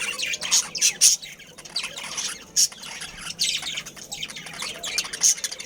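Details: Budgerigar breeding colony, caged family birds, chattering continuously: rapid high buzzy warbles and squeaks, with sharp loud chirps at intervals of roughly half a second to a second.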